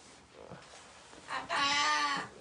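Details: Pet parrot out of its cage trying to rouse a late sleeper indoors: quiet room noise, then one loud, coarse, grating squawk lasting under a second.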